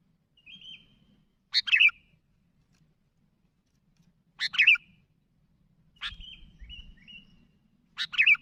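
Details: Sooty-headed bulbul calling to others, described as lively. Loud sharp chirp bursts come roughly every three seconds, with soft short whistles between them. Faint low background hum.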